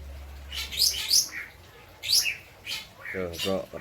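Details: Lovebird from Indramayu, West Java, with kapas tembak and citblek fill-ins: three harsh high chirp bursts within four seconds, a brief mid-pitched twitter, and a short buzzy lower sound at the end.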